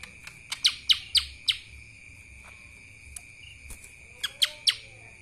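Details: Sparse kapas tembak phrases from a lesser green leafbird: a cluster of four or five sharp chips, scattered single notes, then another short trio, all over a steady thin background tone.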